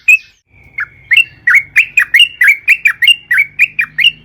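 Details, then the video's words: Sooty-headed bulbul: after one opening whistle and a short pause, the bird launches into a lively unbroken string of quick, liquid, up-and-down whistled phrases repeated several times a second. A soft low hum runs in the background. "suara burung trucukan gacor"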